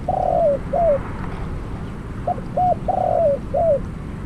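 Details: Spotted dove used as a decoy bird for trapping, giving hoarse cooing phrases: two short rising notes then a longer buzzy coo that falls at the end, repeated twice over low rural background hum.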